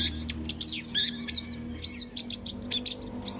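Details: Dense song of an orange-headed thrush: rapid buzzy and warbled high notes, rising and falling slurs packed closely together, continuing without pause over a low steady hum.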